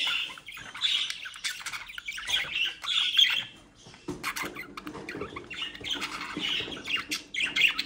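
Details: Budgerigars from a home breeding group near Den Haag, South Holland, keep up rasping chatter and short squawks, partly masked by broadband clatter and rustling, with a brief lull midway.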